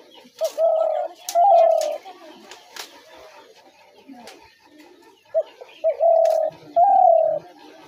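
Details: Spotted dove calling, used as a sound to draw doves into traps. Two phrases about five seconds apart, each a clipped opening note followed by two long, smooth, low coos. Light clicks are heard in between.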